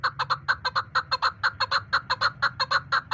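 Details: Female chukar partridge kept as a hunting decoy, calling in a fast, steady run of sharp clucking chuck notes, about two per second, with a low background hum.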